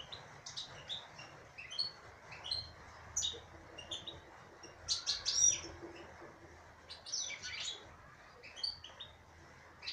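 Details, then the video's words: Female European goldfinch, caged, singing: bursts of high, bright twittering notes and short buzzy trills, clustered phrases separated by brief pauses, over a faint low hum. "تغريد انثى حسون"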